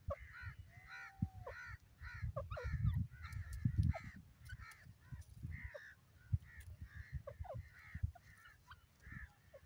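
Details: Grey francolin calling: a steady series of short, harsh, ringing double-noted calls repeated roughly every half second, with a faint downward whistled note near the start and low rumbling background noise throughout.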